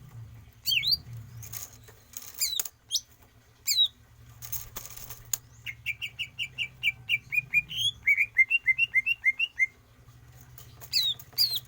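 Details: Greater green leafbird, caged, in stamina training: wing flutters and scattered squeaks, then a long steady run of about twenty repeated, downward-slurred whistled notes, ending with more flutters.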